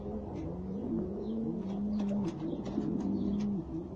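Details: Jafari pigeon, described as the smallest type of pigeon in the world, giving a low, steady rolling coo that wavers slightly in pitch and runs nearly continuously for about four seconds, with faint background noise.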